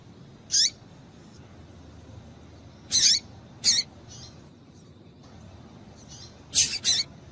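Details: Female double-collared seedeater call, played to make males sing: high, brief chirps with down-slurred tails, some single and some in close pairs, spread irregularly with softer faint notes between.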